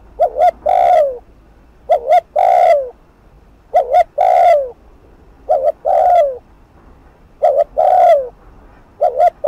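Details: Spotted dove (cu gáy) giving fast-paced 'thúc gù' cooing, used with a decoy to provoke a rival: low, hollow coo phrases of two short notes and a longer drawn-out coo, repeated about every two seconds.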